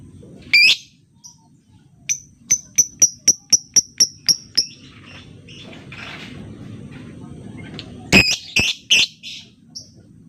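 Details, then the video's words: Lovebird calls meant as a lure to get silent lovebirds singing: a harsh shriek, then a fast series of about a dozen short high ticking notes, a pause with rustling, and a final burst of rasping screeches. "Pancingan Lobebird cepat/jitu burung Lovebird diam biasa gacor denggar suara ini"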